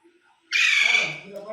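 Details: Pet parrot at home, said to talk, dance and sing, gives one drawn-out, harsh, raspy squawk lasting about half a second, then fading into low, soft sounds.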